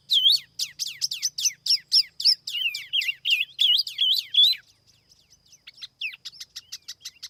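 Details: Noise-free lure song of a silver-eared laughingthrush: a long fast series of loud swooping whistled notes about three per second, then softer scattered chips and a quick run of short notes.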